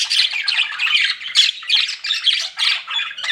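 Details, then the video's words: Chirping pet budgerigars, described as flirting, give scratchy warbled phrases in rhythmic bursts, roughly three per second, each a jumble of squeaks and chirps. "CUTE PET BUDGIES CHIRPING"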